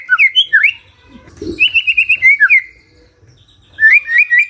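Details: Morning magpie-robin song meant to prompt a silent bird to respond: short twisting whistled phrases, then a quick string of even notes, a pause, and a final burst of rising and falling whistles.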